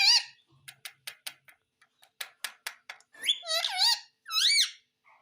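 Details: Talking Indian ringneck parakeet indoors, said to mimic mummy and papa: a short nasal note, a string of sharp clicks, then two harsh, wavering, voice-like phrases.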